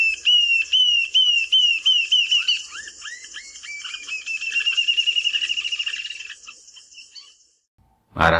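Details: Rufous-tailed Jacamar of the Brazilian Cerrado giving a high, piercing song: clear whistled notes that speed up into a long rapid twittering trill, which fades out before a brief burst of other sound at the end.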